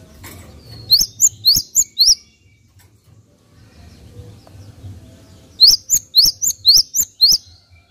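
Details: Java sparrow with two bursts of bright, high, upslurred chirps, five in the first and six in the second, separated by about three seconds of quiet low hum.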